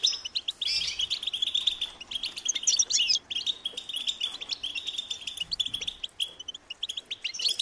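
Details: Hungry European goldfinch chicks calling for food: a near-continuous stream of high, shrill twittering chirps from several birds, dense and insistent, with brief dips in loudness.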